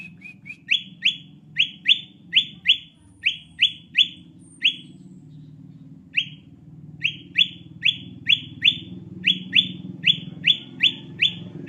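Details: Lure recording of a sooty-headed bulbul for attracting birds. Quick bright chirps with a sweeping, upward-slurred quality repeat in rapid runs, broken by a silent gap of about two seconds midway, over faint low background rumble.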